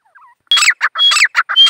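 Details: Grey francolin calling: after a faint soft note, a quick burst of loud, harsh, grating syllables, some carrying a thin high whistle, delivered in rapid succession.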